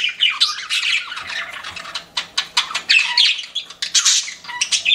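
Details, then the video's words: Budgies kept as pets chattering constantly, sharp chirps and buzzy squawks tumbling over each other in a dense, high-pitched flow. "CUTE PET BUDGIES CHIRPING"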